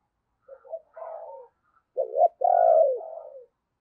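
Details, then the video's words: Spotted dove used as a decoy, a deep 'thunder-voiced' caller: short soft coos lead into a loud, drawn-out rolling coo in two strong parts, heard in quiet surroundings. "Tiếng Chim Cu Gáy Giọng Sấm Bầu Gáy Hay"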